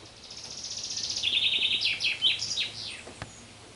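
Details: Common chaffinch singing in a garden in the afternoon: one high, bright phrase of fast repeated notes that first trill, then descend in quicker steps and end in a short flourish, over quiet background noise and a single click near the end.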